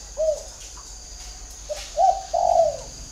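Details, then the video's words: Spotted Dove decoy bird with a whistle-style voice, captive: a brief soft coo, a pause of over a second, then a short note and two fuller, drawn-out mellow coos ending the phrase; faint steady hum behind. "MỒI CÀNH GIỌNG CÒI"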